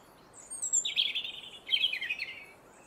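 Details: A robin singing around garden feeders: a thin, very high note, then two rapid, liquid warbling phrases, jumbled and twittering, over a quiet background.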